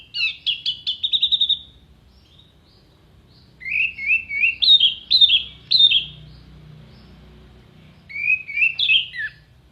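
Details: Clear-voiced orange-headed thrush delivering long song for tutoring contest birds: quick stuttering high notes running into a flat whistle, followed by bouncing phrases that step up and down, with gaps between.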